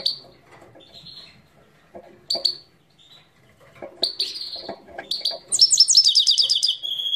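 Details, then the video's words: Himalayan goldfinch from Parachinar singing: scattered high twittering notes and short whistles, building into a dense, bright, rapidly repeated trill near the end that settles onto a steady whistled tone. "Parachinar Himalayan Goldfinch Singing 2022"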